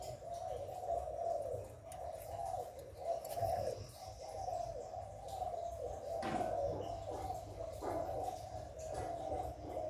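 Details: Spotted dove hạp bổi coos, played to rouse newly kept doves. A long series of pulsing, hollow coo notes runs almost without a break. A few sharp knocks sound midway, over a steady low background.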